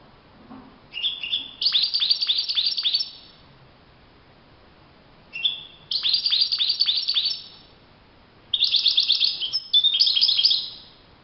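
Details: Wild European goldfinch song in open nature: three bursts of fast, liquid twittering, each opening with a few separate notes, then running into a rapid jingling chatter, with silent gaps between.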